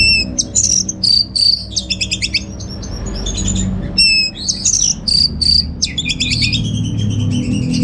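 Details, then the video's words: Caged orange-headed thrush from Singaraja, Bali, pouring out a busy song of buzzy rattling notes, shrill high whistles and scratchy chatter, some phrases repeated, with a low background hum throughout. "Receh & Jos Suara ANIS MERAH Berkicau"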